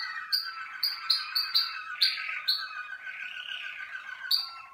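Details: Malinois Waterslager canary, a song-bred caged bird, warming up during its first sessions in the singing cabinet: sharp high notes repeated roughly every half second over a steady lower rolling warble, with a brief rising-falling phrase midway.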